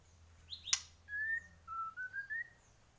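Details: Bornean white-rumped shama singing energetically: a sharp high click, then a sustained whistled note followed by a string of clear, slightly wavering whistles at steady pitch over about two seconds in a quiet room.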